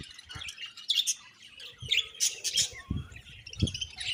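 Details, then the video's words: Budgies chirping with quick, sharp high tweets and short warbled runs, with occasional low taps and knocks. "Beautiful Budgies Chirping Sounds"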